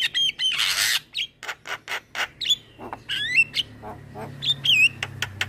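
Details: Young male Javan myna, a captive bird singing diligently with head-bobbing, for training other cage birds. Loud hissing rasp, then short squawks and rising whistled slurs, with a low steady hum in the background.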